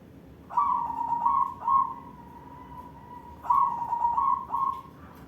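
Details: Singing white barred zebra dove; two cooing phrases, each opening with a quick rising note then a rolling series of soft, pulsing coos that trail off into a longer held final note.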